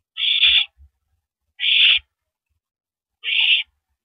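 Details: Owl at the nest on April 9, 2012, around 9:14 PM, as one bird passes a rabbit to its mate after feeding; three harsh, breathy hissing screeches about half a second long, spaced over a second apart, with faint low knocks.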